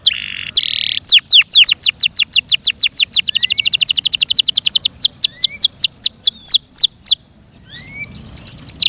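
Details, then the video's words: Yorkshire canary, a kept cage bird, singing loudly: rapid trills of sharp descending whistled notes repeated several per second in rolling phrases, with a few faint rising slurs, a brief pause near the end, then the trilling resumes. "THE BEAUTIFUL SOUND OF FI YORKSHIRE CANARIES"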